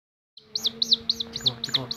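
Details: A pet chick that stays close to its carer runs toward the carer's fingers. It gives loud, high, downslurred peeps about every quarter second, over a faint steady hum, with a voice speaking just after.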